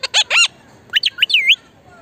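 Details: Talking Indian ringneck parakeet: two loud, harsh, harmonic squawked syllables in quick succession, a short pause, then a run of brief whistled notes that rise and fall, ending in a longer bending whistle, against a quiet background.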